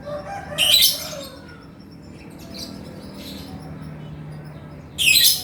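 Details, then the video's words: Male 'gacor' lovebird chattering in 'ngekek' style. A harsh shrill burst opens, soft distant squeaks follow through a long quieter stretch, and another loud rasping chatter closes. "SUARA BURUNG LOVEBIRD GACOR JANTAN"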